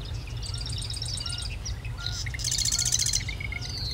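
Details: Marsh wren giving a loud, rapid rattling trill late in the clip, preceded by a faster, higher series of notes, over a low steady rumble with scattered chirps.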